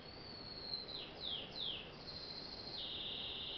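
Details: A small pet bird sings softly in the home, shy and singing only when its keeper is away: drawn-out high whistled notes with three falling slurs near the start, then a long steady high tone, over a faint background hiss.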